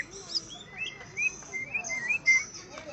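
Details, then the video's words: Greater green leafbird answering a rival with a series of clear, sliding whistles, several upward and downward slurs in quick succession, over a quiet background. "cucak ijo Akhirnya dapat LAWAN tempur.."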